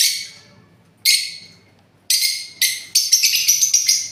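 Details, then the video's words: Parrot producing a fading screech, a single raspy squawk, two quick harsh calls and a closing pulsed, chattering screech. "Parrots original sound video"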